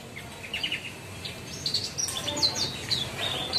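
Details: Singing caged bushlark: a quick run of high chirps and rapid twittering slurs building into busier, louder phrases, with faint background hiss.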